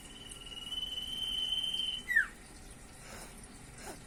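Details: Common iora in energetic singing form with varied song: one long, steady, high whistled note held for about two seconds, then a short, sharp downward slur, over a quiet background.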